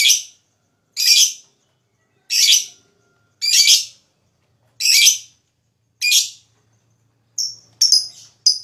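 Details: Lovebird sound used to spur other lovebirds into song: six harsh shrill chirps at roughly one-second intervals, followed by a few shorter, thinner notes.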